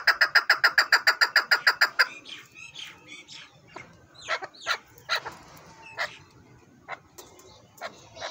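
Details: Excited male desi chukar partridge, a breeder bird from Haripur Hazara kept for hunting calls. It opens with two seconds of fast, evenly spaced chucking notes, then breaks off into scattered, irregular clucks and clicks.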